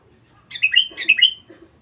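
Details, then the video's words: Sooty-headed bulbul, a fierce, much-singing lure bird, gives two quick bubbly phrases of clear liquid whistles, each of three or four rolling notes, over faint background noise. "pikat kutilang bagus"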